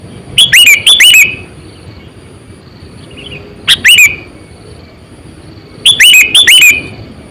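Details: Aged 8–9 years and used for luring, a Sooty-headed bulbul sings three bouts of bubbly, down-slurred chirping notes, each bout a quick cluster, spaced about two to three seconds apart.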